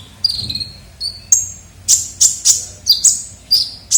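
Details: Kolibri ninja, a sunbird, used as a lure sound and calling vigorously: thin, very high whistled notes and sharp clipped chips, some falling, given in irregular bursts about every half second.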